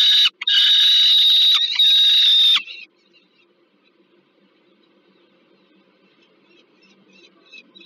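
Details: Peregrine falcon at the Żerań heat plant site in Warsaw, Poland, 15 August 2022, during a food delivery to a young bird: a loud, harsh, strained scream lasting over two seconds, broken by a short gap, then near silence with faint background noise.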